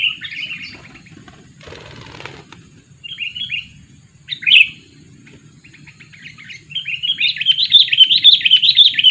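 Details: Sooty-headed bulbul, a two-year-old lure bird used for trapping, gives scattered short chirps, a brief rustling noise, one sharp loud note, then a fast, lively chattering run at the end. A low hum runs throughout.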